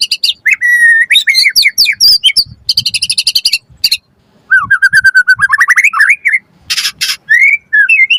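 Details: Richly varied white-rumped shama song, played to get other shamas singing and to tutor birds: long whistles, rapid buzzy bursts, rising slurred notes and dense rattles follow one another with hardly a break.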